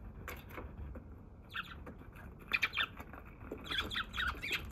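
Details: Wild sparrow on 27 March in Japan, the day's first visitor, filmed until it flew off: scattered short chirps that grow into busier clusters of sharp, squeaky notes toward the end, with low rumble beneath.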